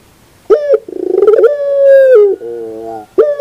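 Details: A puter pelung dove in the morning: brief bright note, quick accelerating stutter, then one long smooth sustained coo sliding down into a deeper raspy finish.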